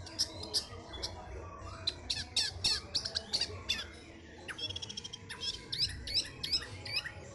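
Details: Orange-headed thrush kept in a cage, moments before a bird-song contest, delivering a rapid jumble of sharp high chips and squeaky notes with brief trills, over faint background noise.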